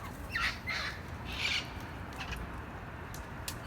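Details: Parrots in a neighbourhood: three harsh, raspy squawks in quick succession in the first second and a half, then quieter scattered calls over faint background noise.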